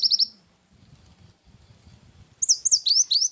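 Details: Cinereous tit in vigorous gacor song with wingko filling, from a masteran recording: three quick high notes, a pause with faint low rumble, then four loud, clear, down-slurred whistled notes.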